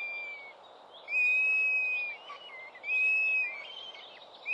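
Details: Four young northern goshawks at a New Forest nest late in the season, 11 June 2012. Two loud, long, steady whistled wails, each lasting about a second, are separated by softer wavering, slurred notes.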